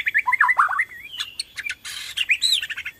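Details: Borneo-type white-rumped shama in full song, used as a lure to stimulate other shamas to sing: quick warbled whistles sliding up and down, then short buzzy bursts and a harsh rasping note.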